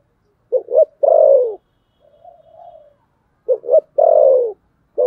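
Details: Spotted dove giving a competition-style fighting coo of the 'thổ sấm' type: two short stuttering notes, then a long, low, slightly falling coo. The phrase repeats about every three seconds with a faint soft murmur between phrases and a quiet background.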